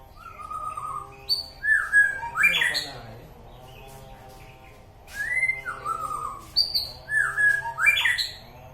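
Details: White-rumped shama (murai batu) from Alue Ie Mirah, East Aceh, Indonesia, singing loud whistled phrases that rise and fall, with rich upward-sweeping notes in two bursts separated by a pause, over faint low background hum.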